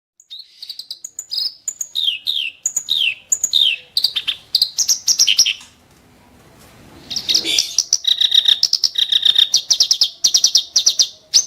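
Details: Clamorous reed warbler (kerak basi) singing sharp, harsh bursts: rapid chattering notes and scratchy phrases, repeated in quick runs, a brief pause midway, then a denser stretch of fast clipped notes.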